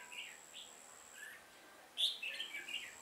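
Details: Red-whiskered bulbul recorded while trapping on 1 October 2018. A couple of soft whistled notes are followed, after a pause, by a loud sharp burst of warbled, chirping phrases over a thin, steady high tone.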